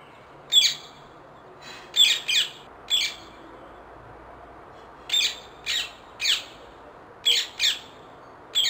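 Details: Wild rose-ringed parakeets giving harsh, screechy squawks, short bursts singly or in pairs spaced irregularly over several seconds, with quiet gaps between and a faint low hum in the background.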